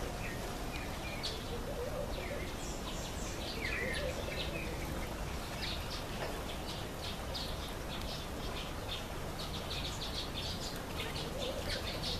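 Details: Red-faced mousebirds in a nectarine tree: faint, high chirps and short down-slurred whistles scattered throughout, over a steady low background rumble.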